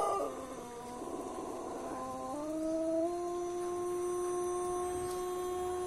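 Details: A contest-winning Pelung rooster in Bandung, West Java, gives a long melodious crow in the morning, holding a clear tone that steps upward and sustains.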